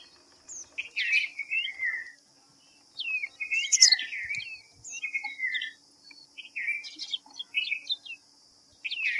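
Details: White-browed fantail (Rhipidura aureola) delivering clustered bursts of descending whistled notes, roughly four phrases with silent pauses between, over a persistent thin background hiss.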